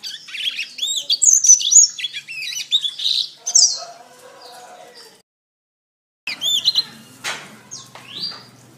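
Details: Canary song for training cage birds: fast high looping whistles and trills, then a quieter stretch, a second of silence, and a renewed burst with a sharp click.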